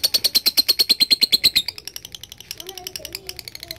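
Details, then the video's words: Lovebird ngekek chatter: a brisk run of high buzzy pulses for about a second and a half, then breaking into quieter uneven chirps with some lower muffled sounds behind. "LOVE BIRD GACOR NGEKEK PANJANG"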